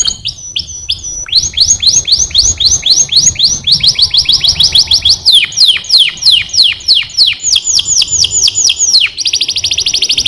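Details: Singing canary delivers long runs of quick descending whistled notes, several per second, shifting into a rapid high buzzy trill at the end; strong, steady song over a faint low hum.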